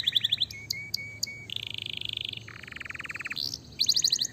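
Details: Canary song to make other canaries reply: quick high chirps, spaced short notes, a steady high roll, a lower buzzy trill, then renewed rapid chirping.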